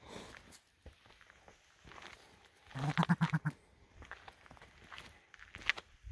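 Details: On the Skookumchuck Trail, an aggressive male blue grouse defending its territory against a walker utters six or so deep, evenly spaced throaty pulses amid footsteps and rustling on the trail.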